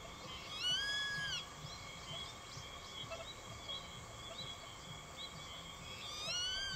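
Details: Young grey-faced buzzard calling again and again at an adult that later chases it away; two clear slurred whistled cries at start and end with harmonics, faint high chirps between, steady background hum.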